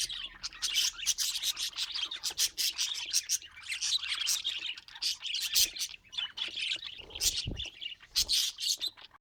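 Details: Domestic budgies keep up lively warbling chatter, with rapid squeaky tweets and buzzy chirps tumbling over each other. Brief louder squawky notes are heard throughout.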